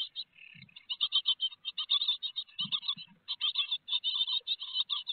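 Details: Great tits, Théding nest box, France, 4 May 2021, with a big peanut on the menu; quick runs of high, rasping notes, a brief softer buzz at the start and a few low thumps midway.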